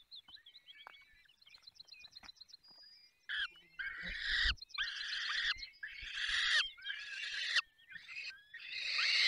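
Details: Falcons calling during feeding at a nest in Poland's Barycz Valley. Soft high trills from another bird come first, then a run of loud, rasping screeches repeated roughly once a second.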